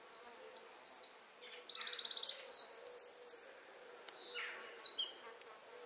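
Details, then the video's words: Jenny wren singing in a garden beside the house where it nests, a quite short song: very high, rapid notes and a fast buzzy trill, bright and rattling, lasting about five seconds. "Wren song"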